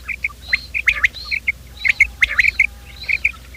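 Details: Quail calling, a morning sound used to lure quails for trapping: short sharp chirps in quick pairs and clusters, with higher thin whistled notes between, repeating in bursts over a low steady hum.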